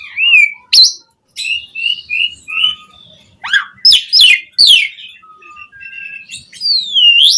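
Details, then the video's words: Jalak suren, or Asian pied starling, in full song meant to coax other starlings into singing; clear flat whistles and a low pure tone mixed with harsh rasping bursts and a final rising-falling whistle. "Suara JALAK SUREN Gacor MATERI Full Mewah Cocok Buat Pancingan Burung Jalak Biar Cepat Bongkar Isian"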